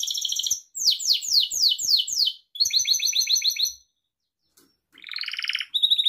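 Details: Gloster canary singing rapid tours of bright, descending whistled notes, then a buzzy rolling trill, with brief pauses between phrases; a recording intended for training young canaries to sing.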